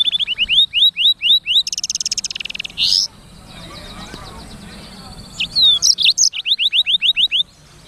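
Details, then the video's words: Black-throated canary song of quick repeated downslurred notes, about four per second, then a fast buzzy trill, a pause, and further chirp series, high-pitched against low background noise. "BURUNG FINCH EDEL SANGER / BLACKTHROAT Suara Gacor"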